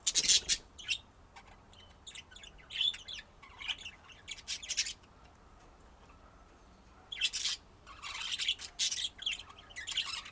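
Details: Budgerigar warbling: loud clustered chirps, clicks and grating squeaks in uneven bursts, a quiet gap in the middle, then a renewed busy stretch of chatter.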